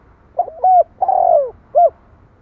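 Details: A single spotted dove coo phrase with a broken double-note start, a long throaty descending middle note and a brief final note. The mellow low pitch is clear over a faint background.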